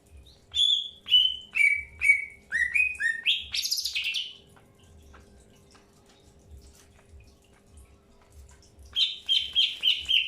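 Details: Greater green leafbird in early pairing: a series of repeated whistled notes dropping then climbing, a harsh burst, a long quiet stretch, then four quick repeated chirps.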